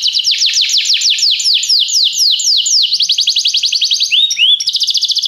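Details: Canary training song: slow, bold downward-sweeping notes repeated about every quarter second, giving way to a rapid high trill and a brief rising note before another fast rattle.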